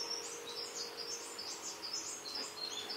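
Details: Male greater double-collared sunbird (Cinnyris afer) gives a rapid, high, scratchy twitter of thin jumbled notes without pause, over a faint steady hum.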